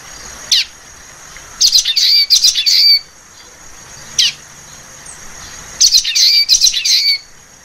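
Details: Common waxbill calling in short clusters of sharp, buzzy chirps, two bursts of rapid notes separated by quiet gaps, with a few single clicks and a faint steady high whine in the background.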